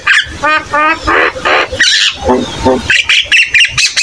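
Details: Javan myna in vigorous song, used to tutor young birds: stuttering harsh buzzy notes, broad rasping squawks, then a fast sequence of high, scratchy chips.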